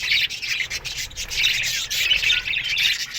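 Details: Budgerigars in an aviary colony in the morning: dense, continuous high chattering with scratchy, buzzy chirps that overlap into a rasping wash, swelling and dipping in loudness every fraction of a second.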